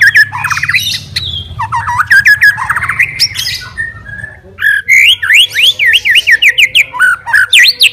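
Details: Fighter white-rumped shama singing to challenge other shamas; rapid scratchy phrases, then a bright run of repeated V-shaped whistled notes about three per second, with low rumbling background noise early on.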